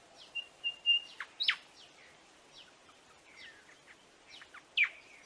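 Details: Buff-sided robin chirping: steady high whistled notes, sharp downward chips and a few short slurred notes scattered over several seconds, with a quiet background.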